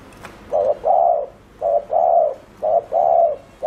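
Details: Fast 'gù' cooing of a spotted dove used as a lure for wild birds: a short clipped coo, then a longer mellow one, repeated in an even rhythm.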